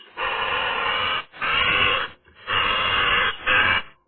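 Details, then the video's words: Eurasian magpie voicing on a sunny day: four long, harsh, rasping bursts of about a second each, separated by brief pauses, loud and close. "magpie nice singing"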